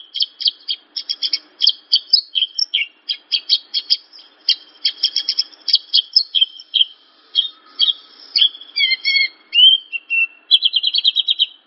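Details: Javan bush lark training song, meant to make untrained birds respond: steady runs of high doubled chips, then mixed whistles, downslurs and a closing rapid trill.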